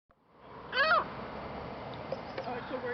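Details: An angry seagull in Lac La Biche, Alberta, Canada, trying hard to get a french fry. It gives a single short, harsh, squawk with a strong harmonic stack, followed by a low background murmur.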